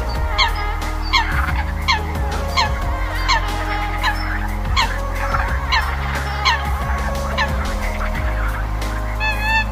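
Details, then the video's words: Eurasian coot flock-calling recording, used to call coots, giving short nasal, honking notes, about one every three-quarters of a second, over a steady low electrical hum. "tiếng sâm cầm gọi bầy"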